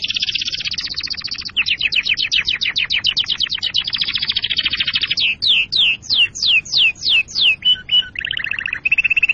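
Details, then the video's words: Pet canary song for readying birds to mate and tutoring chicks: a fast steady run of clipped notes, about three per second, then slower, steeply falling whistled sweeps and a lower rolling trill. "أفضل تغريد كناري لتجهيز الكناري للتزاوج وتعليم الفراخ"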